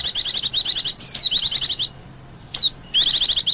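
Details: Oriental white-eye lure call, rapid pulsed high trills about ten notes per half second, broken by a sharp falling whistle and a short pause.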